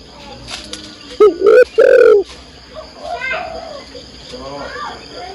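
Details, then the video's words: Spotted dove female calling the male: a quick short coo followed by a longer hoarse coo, then soft twittering of other birds in the background. "tekukur/derkuku betina memanggil jantan"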